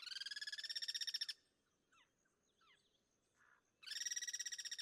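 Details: Guira cuckoo in the wild, part of a cross-singing group; a rapid rattling series of harsh pulses stops, a quiet gap holds faint whistles and chirps of other birds, then a second pulsed burst starts.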